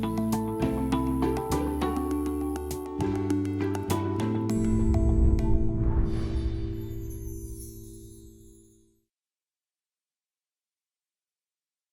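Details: Sustained instrumental music with steady low chords and chiming notes fades out after about nine seconds into silence, with no animal voice.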